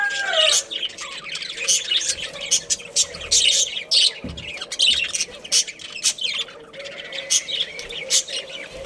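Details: Budgerigars, a breeding pair and family, keep up continuous high chattering with quick squawky chirps in irregular bursts, opening with a short falling whistle.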